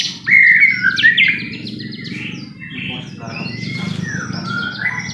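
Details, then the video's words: White-rumped shama lure song for stirring another bird into singing: a loud whistled and trilled phrase at the start, then fainter scattered notes over a low rumbling background. "pancingan murai batu AGAR BUNYI jitu untuk JADIKAN murai batu GACOR EMOSI"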